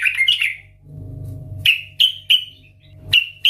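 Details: Yellow-vented bulbul, sung loud and chatty as lure audio for other bulbuls: a short gurgling phrase, then crisp separate whistled notes repeated every few tenths of a second, with a low rumbling background in between.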